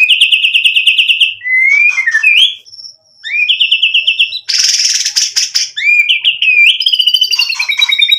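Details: White-rumped shama in gacor form used as a lure: a quick rattling trill, rising whistles, a harsh noisy burst mid-phrase, then upswept whistles and rapid high chatter.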